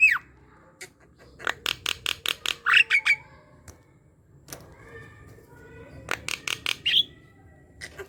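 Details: Javan myna chattering song to stimulate other mynas: scattered clicks building into a fast click series, a squeaky whistle, then after a quiet gap another click run ending in a shrill note.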